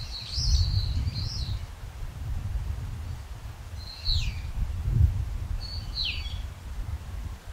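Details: Brown-eared bulbul calling: three separate shrill, slurred notes spaced a few seconds apart, some dropping in pitch, over steady low background rumble.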